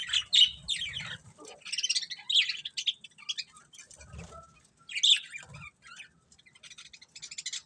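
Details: Pet budgerigars uttering clusters of sharp buzzy chirps and warbles, pausing briefly, then another loud chirp burst, with faint wing or cage rustles.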